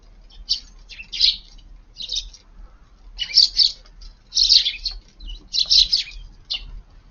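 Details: Wild sparrows feeding in a garden at midday on a cold, windy day in Japan; bursts of bright, high chirping in clustered groups with short pauses between.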